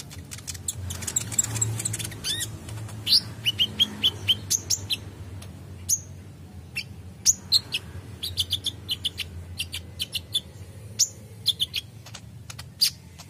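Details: Kolibri ninja sunbird singing busily: a stream of very high, sharp, clipped chirps and short tweets in irregular bursts, some quick doubled notes, over a low rumbling background.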